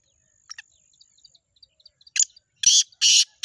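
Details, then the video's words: Black francolin (black partridge) gives faint ticking notes, then loud, harsh, grating bursts about every half second, with a thin steady whine briefly at the start. "black partridges chakri wali tettar"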